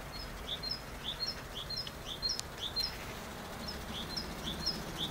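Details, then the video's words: Great tit song of high, sharp two-note units repeated in a bouncy rhythm, one brief gap partway, against a low hiss of outdoor noise. "Chant de Mésange charbonnière Parus major Great Tit"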